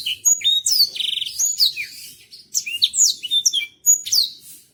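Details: Black-throated canary of Botswana type singing a slow song: a high, varied run of sweet whistles, sliding notes and a brief buzzy trill, with short pauses between phrases.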